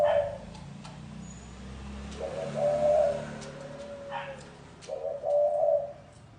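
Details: Spotted dove cooing in the gáy gù manner: three low, throaty phrases, each rising into a sustained hoot and trailing off, spaced roughly two and a half seconds apart over light background noise.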